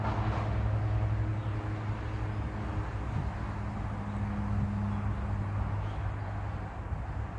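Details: Steady low engine-like hum and rumbling fills the recording, with no animal sound heard.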